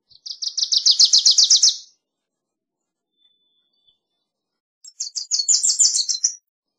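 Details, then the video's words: Wilson's warbler singing two bursts: a rapid chattering trill of many high chips that rises slightly in loudness, then after a three-second pause a second similar chatter, slightly higher and more uneven, in near silence. "Wilson's Warbler Song! Wilson's Warbler Call! Sound!- Reinita De Wilson Canto"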